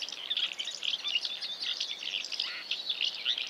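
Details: House martin giving a dense run of dry, chirping twitters, many short overlapping notes packed close together with no pause across the stretch.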